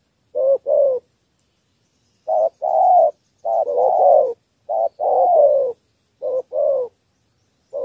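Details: Cà Mau spotted dove kept as a decoy for wild doves, cooing in a three-note style: soft, hollow, slightly descending hoots in uneven groups of two and three, separated by clear pauses, with no other sounds.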